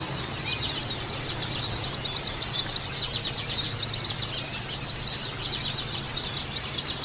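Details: Female white-eye calls, used as training audio to raise breeding drive and get kept white-eyes singing actively: a dense, continuous stream of very high, thin twittering chirps with brief sweeping notes, over a faint low hum.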